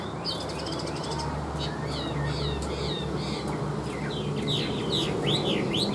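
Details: Tame caged Chinese hwamei singing: quick chirped and whistled notes in short bursts, ending in rising-falling looped whistles, over a steady background hiss and hum.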